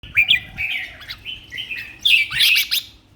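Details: Red-whiskered bulbul competition bird singing in a cage, fit and in full voice: short bright warbled phrases around the upper-middle range, slurred and bubbly, ending in a louder chattering burst.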